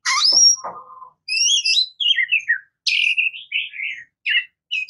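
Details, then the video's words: Oriental magpie-robin, or murai kampung / kacer, singing loud clear whistled phrases, some sliding downward, others short and repeated, separated by brief silences. "Oriental Magpie Robin Singing | Suara Burung Murai Kampung | Bunyi Kacer"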